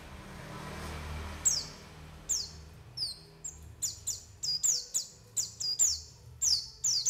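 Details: White-eye calls used as a lure to attract and trap birds and make them open their beaks: high, thin, downslurred chirps start sparse, then become a quick, busy series of repeated notes with light background noise.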